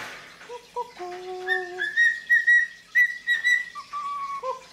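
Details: Pet female cockatiel, free indoors in the afternoon, perched on the owner's wrist and arm, singing hard while her head is stroked: clear whistled notes, low steady tones rising to a run of bright repeated higher whistles, then dropping again.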